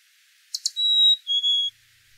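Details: A Black-capped Chickadee near the nest in breeding season gives two quick chips, then the faint fee-bee, a soft two-note whistle with the second note lower; the male uses it on arriving with food for his mate.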